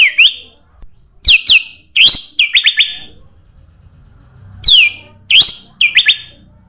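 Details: Sooty-headed bulbul, played as a lure for birds: short whistled phrases of rising and falling slurred notes, given in two clusters separated by a pause, against a quiet background.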